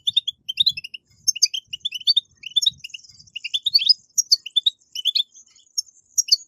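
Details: European goldfinch song of the betbetat style, used to encourage captive goldfinches to sing: fast, liquid twittering of short high chirps and tinkling notes in quick bursts, with a few faint low knocks.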